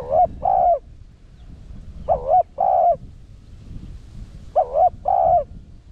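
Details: Spotted dove used as a decoy for wild doves, singing the 'Rặc Đồng' voice. Three evenly spaced phrases, each pairing a short trembling coo with a longer smooth one.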